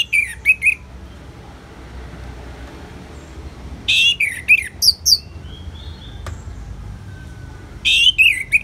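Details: Orange-headed thrush (anis merah) ngeplong song for therapy with natural rain sounds: three spaced phrases of quick, descending whistled notes with sharp high accents, separated by quiet stretches of faint steady background noise.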